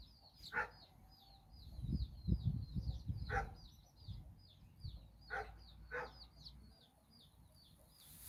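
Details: Hen out with her nine chicks in Bizkaia, Basque Country. Rapid, high, down-slurred chick peeps continue throughout, punctuated by four spaced low clucks from the hen, with a burst of low thumping noise early on.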